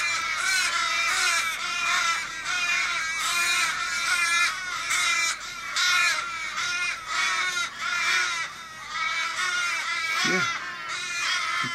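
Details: Fifteen or more wild Australian ravens in a Kellyville street, Sydney, 1 July 2012, circling a dying flock member, possibly car-struck, in distress; a dense chorus of overlapping drawn-out wailing caws, continuous, with a brief human voice near the end.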